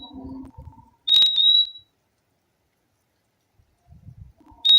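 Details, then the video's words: One loud high even whistle of the purple-throated euphonia (fim-fim) lasting under a second, preceded by low murmuring noise, followed by quiet low sounds and the start of another whistle. "O LINDO SOM DO PÁSSARO FIMFIM"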